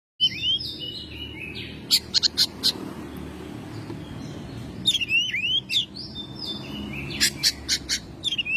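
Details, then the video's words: Home-kept Oriental magpie-robin singing actively in May: bursts of sharp, bright whistled notes and rising slurs in two spaced clusters, separated by a quiet pause, over a low steady hum. "Burung Kacer gacor rumahan"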